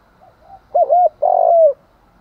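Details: Spotted dove used as a decoy in the morning, cooing to provoke and call in wild birds: a faint short note, then two strong low mellow coos, the second longer and sliding downward at its end.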